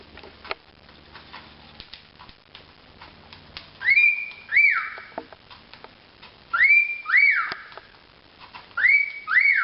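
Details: A pair of pet cockatiels give loud, rising whistled calls in pairs, each swooping up then holding steady, as part of their typical behaviour.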